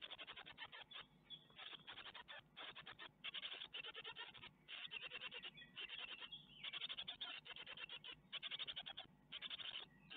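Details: Great tit nestlings at a webcam nest in Ostwald, 12 May 2021, fed a spider; an insistent chorus of harsh, clipped chirps runs in bursts throughout, with brief pauses every second or so.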